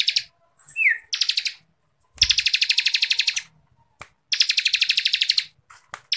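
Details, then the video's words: Energetic Bar-winged Prinia song, continuous and rapid, used to tutor contest birds: short downslurred note, then pulsed rattling trills over a second long, separated by brief silences and faint clicks. "CIBLEK KRISTAL GACORRRR FULL NGEBREN RAPAT MASTERAN WAJIB BURUNG LOMBA KICAU"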